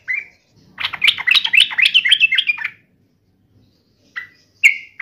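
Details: Sooty-headed bulbul, agitated and in fighting mode: a short note, then a two-second outburst of rapid jumbled chattering, followed by silence and two brief sharp calls.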